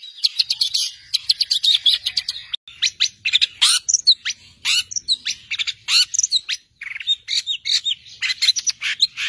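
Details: A long-tailed shrike gives master song meant for training songbirds. The rapid, varied high chatter mixes sharp chips, trills and buzzy notes in dense runs, with a short pause partway through.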